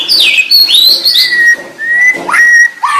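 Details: White-rumped shama song with sweeping high slurs followed by long, steady whistled notes held for about half a second each, then a quick rising phrase.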